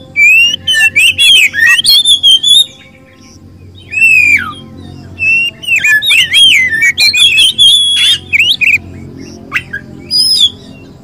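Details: Kacer, the Oriental magpie-robin, with ngobra poci and local types compared: powerful bursts of twisting whistled notes and scratchy chatter, a quiet pause of over a second, then more rapid varied phrases and high squeaks.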